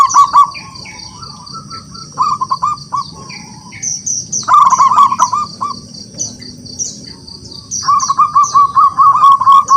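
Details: Zebra dove of local wild stock in full song, calling rivals to answer: quick stuttering, rolling coo phrases, one soft run, then two long, loud, fast-trilled series. Other small birds chirp high and thin throughout.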